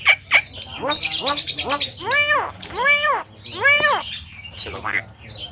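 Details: Javan myna talking loudly, a few quick clipped notes leading into long, arching, speech-like syllables repeated about once a second.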